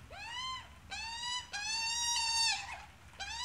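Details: Australian magpie, an adult together with its chick, making a few drawn-out, harmonic, slightly rising squawks, one long wavering note lasting about a second, ending in a rough break.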